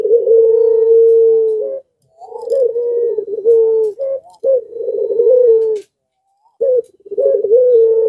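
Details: Barbary dove in breeding condition gives long, low, steady rolling coos, the first nearly two seconds long, then shorter bursts with brief pauses, prompting other doves nearby to call too.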